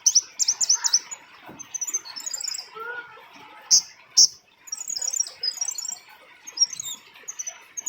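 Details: High, rapid chirps and buzzy twitters from a female scarlet-backed flowerpecker used as a lure call, coming in clustered bursts with a few lower soft notes between them.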